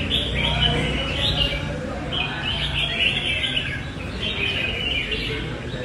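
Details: Red-whiskered bulbul, a responsive bird that fans out its wings and sings loud and long while competing. Bright warbled phrases in bursts about every second and a half, over steady low rumble and background noise.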